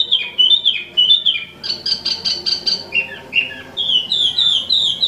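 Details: An imported wambi mini sings vigorously, mixing bouncy downward-sliding whistles with a brief dry rattled series and sweeter high phrases, notes tumbling out in rapid succession.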